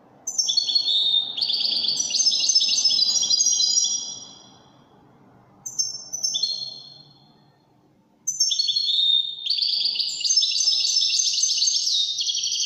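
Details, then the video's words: European goldfinch performing widani song: a long, rich twittering phrase of rapid high notes, a brief quiet gap, a short burst, then another sustained tinkling, buzzy run. "تغريد طائر الحسون الويداني"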